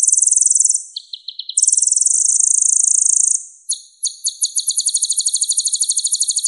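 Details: Purple-throated sunbird, called kolibri ninja in East Java, producing a high buzzy trill, a brief run of lower ticks, a long sustained trill, then a quick series of sharp chirps.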